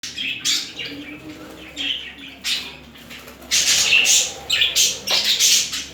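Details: Two budgerigars during mating and courtship display: bursts of bright, scratchy chirps and warbles come in short clusters with brief pauses between them. A louder, busier run of chatter follows near the end.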